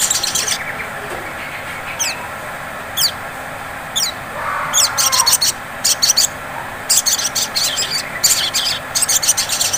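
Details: Sunbird, called sogon, in ngleper-style lure song meant to trigger singing in another bird. Thin downslurred chirps come first, then increasingly dense high rattling trills repeated in quick bursts. A low hiss runs throughout.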